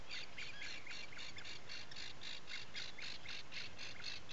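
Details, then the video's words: Atlantic puffin at its nesting burrow on Seal Island National Wildlife Refuge, Maine, recorded 12 July 2018 before dawn: rapid harsh raspy pulses repeated about four per second without pause, over a steady hiss of background noise. "Puffin Burrow Cam"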